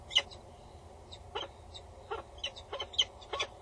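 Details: Female peregrine falcon calling loudly and bowing above a nest box on Axel Tower, Netherlands, male nearby, 22 August 2019, 10:55; a few harsh, scattered call notes over a steady low hum.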